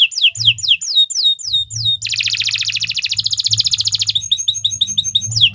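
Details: Canary singing long 'gacor panjang' song for training: crisp high notes sliding downward several times a second, then a fast rattling trill lasting two seconds, followed by short quick chirps and another sweep. Low soft thumps in the background.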